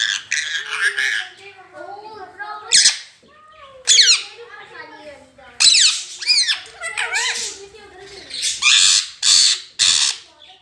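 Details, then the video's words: Rose-ringed parakeet, a talking pet, repeating the Urdu phrase "Mian Mitthu Chori Khani Ha" indoors in a small room: squeaky, nasal speech-like syllables in quick bursts with sharp high squawks between phrases. "Mian Mitthu Chori Khani Ha talking parrot speaking parrot"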